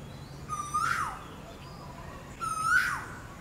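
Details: Asian koel giving its mating call: two loud whistled notes, each sliding upward and ending in a sharp rising flick, spaced about two seconds apart over a low steady background hum.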